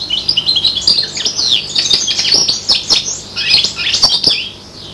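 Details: Goldfinch-like song from a five-month-old serin x bronze canary hybrid: continuous rapid high twittering with liquid trills, sharp chirps and quick slurred notes running without a break.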